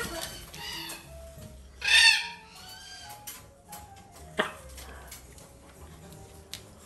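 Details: Young blue-and-yellow macaw chick from a domestic breeder, sexed and tested for bornavirus, PBFD, chlamydia and BFD, gives a few short, reedy calls, then one loud, harsh squawk; a sharp click and faint indoor background noise follow.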